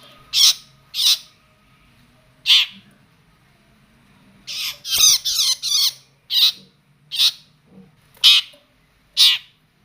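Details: Long-tailed shrike turning aggressive on seeing a cricket, giving loud harsh rasping squawks, single or in quick bursts, spaced irregularly about every second, over a faint low indoor hum.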